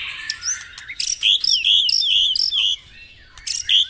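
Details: Bright White-rumped shama phrases played to draw song from caged birds in the morning: a series of high, sliding whistled notes in a steady row, framed by short harsh bursts.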